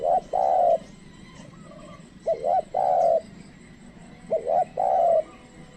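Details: Spotted dove kept as a trained lure, cooing to attract wild doves. Three mellow phrases, each a short wavering coo then a longer steady one, come roughly every two seconds against quiet background.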